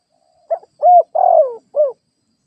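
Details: Single cooing phrase from a spotted dove used as a ground decoy: short clipped note, a smooth rounded coo, a longer grating coo sliding down, then one soft closing coo, with nothing else audible.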